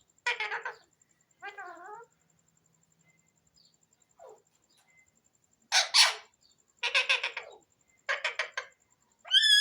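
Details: Indoor talking Alexandrine parakeet (pahari tota), a pet: sharp raspy squawks, a stepped nasal note, a long quiet gap, then clustered harsh chatter bursts ending in a rising whistled squeal.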